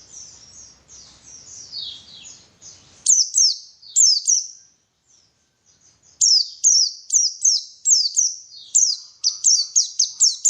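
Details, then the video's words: White-eye song used to stir white-eyes into energetic song: soft high twittering, then loud bursts of sharply falling, piercing chirps, quickening toward the end into a rapid run of notes. "PANCINGAN BURUNG PLECI SUPAYA GACOR"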